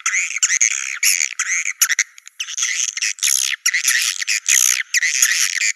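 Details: Naga Merah swiftlet sound played to attract swiftlets into nest sites: harsh, high, buzzy chattering in rough bursts of about half a second, with brief gaps and no low-pitched sound.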